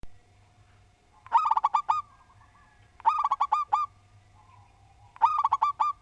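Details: Local Javanese zebra dove, a strong singer with a well-ordered song, giving three phrases of mellow stuttering cooing notes about two seconds apart, each a quick rising cluster ending in evenly spaced coos, with a steady faint hum behind.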